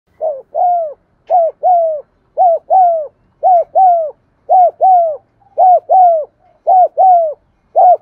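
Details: Spotted dove cooing, meant to prompt silent caged doves to coo: steady paired coos, each a short note followed by a longer falling one, repeated about once a second, clean with no other sounds.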